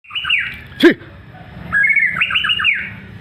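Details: White-rumped shama singing actively, a warbled whistled phrase followed by a run of quick descending whistled notes, with a sharp click midway and a low hum underneath.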